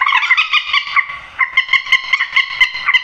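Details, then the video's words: Short burst of grey-headed swamphen calling, a sound meant to pull birds into nets at night: steady, evenly spaced nasal squawks about four per second, loud and harmonic. "tiếng trích ré"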